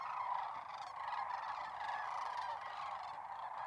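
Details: Many sandhill cranes gathered in a Nebraska corn field near North Platte, March 2021, calling together: a steady wall of hoarse, rattling trumpet notes, with individual voices blending into one continuous roar.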